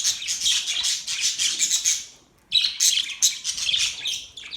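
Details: Budgies chirping in a continuous high, scratchy chatter of rapid warbled notes, briefly pausing halfway before resuming just as busily.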